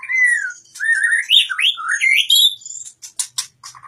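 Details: White-rumped shama delivering a rich run of slurred, rising and falling whistles that flow into one another, ending in a series of quick dry clicks and short chips.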